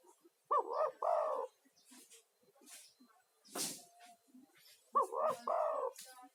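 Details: Male spotted dove in full voice, a lure bird calling other doves, used as therapy for stressed caged doves; two cooing phrases, a quick double coo running into a longer rolling coo, separated by a quiet gap with scattered clicks and rustles.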